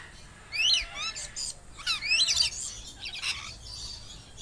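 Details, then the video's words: A lorikeet gives shrill, screechy chattering calls, several harsh rising-and-falling squeals in quick bursts over four seconds, with faint background hiss. "Lorikeet Parrot Sounds"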